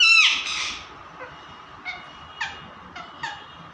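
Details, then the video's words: Pet parrots playing: one loud, drawn-out nasal call that opens the clip, followed by several short, soft, clipped notes spaced about half a second apart. "Mitthu tota ki awaaze | Funny parrot talking video"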